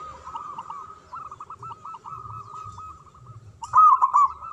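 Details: Local zebra dove singing to provoke silent doves back into song: soft continuous background cooing from several birds, then a loud rapid rolling phrase near the end.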